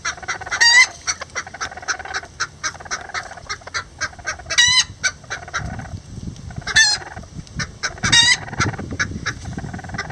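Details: Miniature Lavender Bantam roosters and a hen building a nest together: four loud, ringing harmonic calls spread across the stretch, with steady soft clucking and some low rustling noise in the second half.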